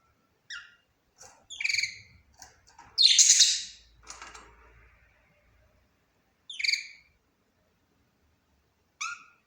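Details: Budgerigar giving scattered short, bright chirps and clicks, one loud harsh squawk in the middle, then a few more clear chirps spread over several seconds, with quiet gaps between.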